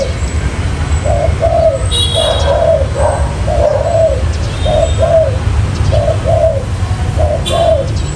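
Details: Spotted dove trapping lure: a rapid chain of soft double coos, short then falling, with scattered high chirps from other birds and steady low background noise.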